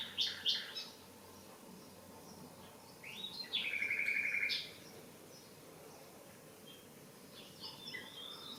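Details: Common nightingale singing in a garden: a rapid harsh burst, a pause, then a long fast rattling trill of repeated notes, followed by softer high phrases after a gap.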